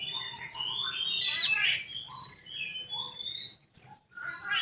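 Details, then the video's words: Continuous 'full tembakan' song of a common iora, called konin: overlapping whistles, harsh buzzy phrases and scattered sharp high pips, ending in a rasping note. "Burung Konin Full Tembakan"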